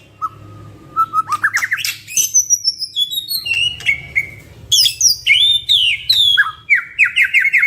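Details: Pair of white-rumped shamas singing, rich in varied fill phrases: a steady low whistle, then rising stepped notes and a burst of high, slurred whistles, followed by lively chattering phrases.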